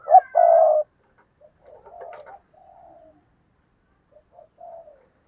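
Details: Spotted dove used as a lure bird, cooing: a loud, low, burry coo of two quick notes, then softer rolling notes and a short trailing coo, with near silence between phrases.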